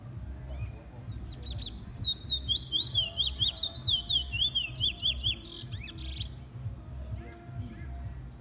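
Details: A chestnut-bellied seed finch (Trinidad bullfinch) in its first black plumage, kept and named Congo Man 2, gives a rapid warbling run of high, sweet whistled notes lasting about four seconds over a steady low hum.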